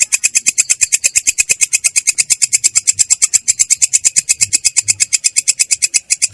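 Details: A long-tailed shrike delivers a clear, harsh "ngerol" roll: a dense, uninterrupted chain of scratchy notes repeated about seven times a second, steady in loudness throughout.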